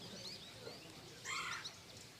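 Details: At feeders in Ottawa County, Michigan, on a March morning, a Red-bellied Woodpecker gives a single short, rolling, burry churr over faint high chirps from goldfinches and other small birds.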